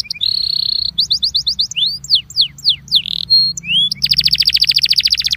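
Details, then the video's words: Belgian canary incarte used to warm up canaries. A buzzy held note, quick chips, then a series of falling whistled sweeps, a rising whistle, and a closing rapid repeated trill. "INCARTE para esquentar canario belga"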